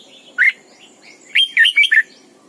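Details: Caged decoy red-whiskered bulbul singing in the morning: one lone dropping whistle, then a phrase of four rich warbled notes falling in pitch, with a faint steady background tone.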